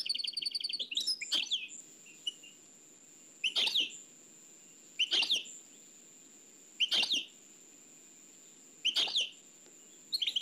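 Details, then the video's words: Nightingale singing, Oued El Alaig, from an old cassette: an opening high trill, then loud short bursts of clicking notes about every two seconds, with a steady high tape whine between them. "تغريد واد العلايق نقلته عن كاسيت قديم بصحتكم خاوتي معمر روسينيول"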